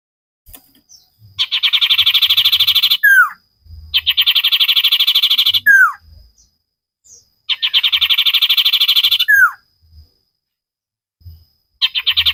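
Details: Common iora in a cage-bird training recording, singing energetically: three long rapid trills of fast repeated notes, each ending in a downward-sliding slurred note, spaced a few seconds apart with faint low knocks between.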